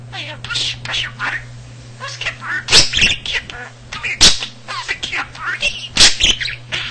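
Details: Talking pet budgerigar, male, which learned nearly 300 words and phrases on its own from people talking around the house; squeaky, speech-like warbling runs broken by three loud sharp clicks, over a constant low electrical hum.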